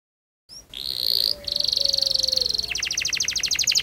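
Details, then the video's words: Canary singing to teach young canaries: a short upslurred note, then a sustained high buzzy trill that breaks into a fast rolling series of clipped, repeated notes, moderately loud and clean. "Burung kenari gacor panjang Cuit Cuit ngerol Pancingan Kenari Paud belajar bunyi"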